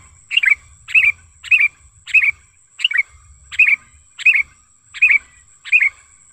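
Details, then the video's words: Lively wild sooty-headed bulbul calling as a lure: nine punchy chirps, each a quick falling-rising twist, spaced about two-thirds of a second apart, over a steady high-pitched whine. "Suara Pikat Kutilang Gacor ASLI ALAM Lanjut NGGARUDA Ampuh untuk Masteran Kutilang & Pikat Kutilang"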